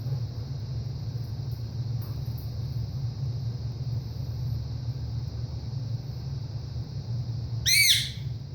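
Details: Pet male ringneck parrot gives one loud, harsh, rasping squawk near the end, a call made several times daily, especially when the owner leaves the room; steady low indoor hum and faint high whine throughout.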